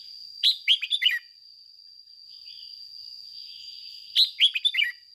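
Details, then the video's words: Decoy red-whiskered bulbul in training sings two quick phrases of four or five liquid, slurred notes, about 3.7 seconds apart, with a constant thin high-pitched hum running underneath. "Luyện chào mào mồi hót ché căng - Ép chào mào hót sáng"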